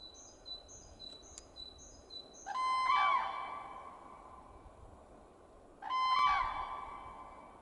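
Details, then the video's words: Cranes giving two loud, harsh, ringing screams rich in overtones, each about a second long and about three seconds apart. Faint, thin, high chirps from a small bird repeat before them over a steady background hiss. "Cranes (Birds)"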